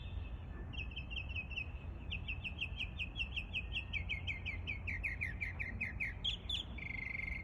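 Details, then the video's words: Mockingbird song of rapid, repeated chip and trill phrases, each figure repeated several times before switching, mimicking many different sounds of other birds, over a steady low rumble of background noise. "Mockingbird…so amazing how they can copy almost any sounds from other birds"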